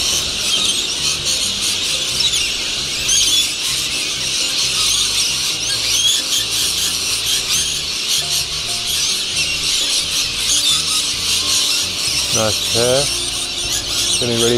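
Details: Rainbow lorikeets coming to roost in Norfolk Island pine trees at Cottesloe beach, Perth, at sunset; a dense, continuous screeching chatter of many birds, with a person speaking briefly near the end.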